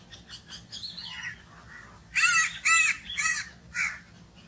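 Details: Crow calling: faint, scratchy notes at the start, then four loud, harsh caws spaced about half a second apart, each hoarse and grating, over low background hum.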